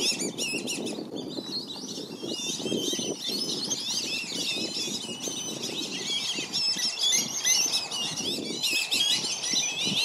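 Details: Black-bellied whistling ducks at Circle B Bar Reserve, Lakeland, Florida, parents guarding five flightless juveniles against dozens of surrounding ducks; dense, overlapping high squealing whistles run continuously, with low splashing and rustling underneath.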